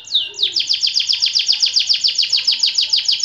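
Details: White AF canary singing a long song: one drawn-out descending note, then a fast, steady run of high, down-slurred notes repeated about four per second.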